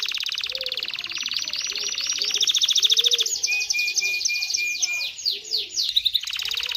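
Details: Canary singing to excite males and females for mating, a dense rolling trill of rapid high notes shifting into a clear repeated whistled tour, then quick sweeping notes, with faint low chirps beneath.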